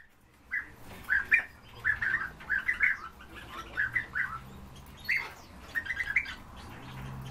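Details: European bee-eaters, several kept birds, giving short rolling, burry calls in loose bursts of two to four notes with brief pauses, repeated through the recording over a soft low hum.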